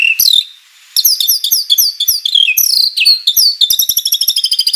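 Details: White-rumped shama in vigorous song full of learned phrases: a high whistle, a short gap, then quick downward-slurred whistles giving way to a fast, even trill of high notes.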